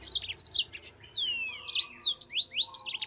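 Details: Mozambik, the yellow-fronted canary, recorded as master song for cage birds: a continuous jumble of high twittering notes, long descending whistles and upward swoops with no pauses.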